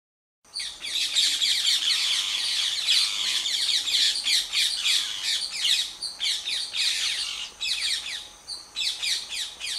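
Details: Wild rose-ringed parakeets in India at a nest attacked by a monitor lizard: a frantic stream of shrill, harsh squawks and chattering screeches, almost continuous with brief gaps.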